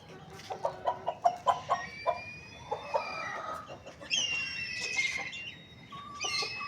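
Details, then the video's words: Chicken in the morning: a quick run of about eight short, low clucks, then higher squealing and chirping calls from other birds overlapping near the end. "Rooster morning crowing sounds"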